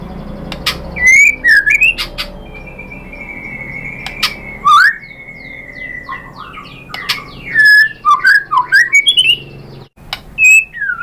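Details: White-rumped shama lure song to prompt a reply: scattered clicks, a long steady whistle, sharp upward sweeps and a closing burst of tumbling warbled notes.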